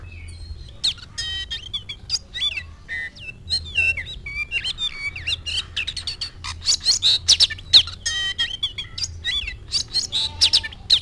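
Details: Oriental magpie-robin singing hard after spotting a rival: fast, varied phrases of looping whistles, clicks and scratchy notes packed closely together for the whole stretch, with a faint low hum beneath.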